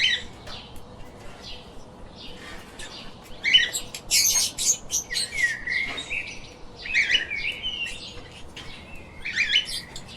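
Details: Pet lovebirds in lively chatter: quiet at first, then rapid harsh squeaks and shrill chirps in a busy cluster, trailing into scattered buzzy calls with a faint hum behind.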